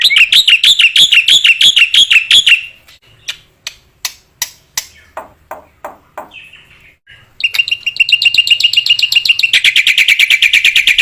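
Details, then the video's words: ['Recording of a black-winged myna singing, used to stimulate other mynas: bright rapid chirp series, a stretch of scattered clicks and ticks, then a long fast trill of high repeated notes.'] "MASTERAN BURUNG JALAK PUTIH GACOR"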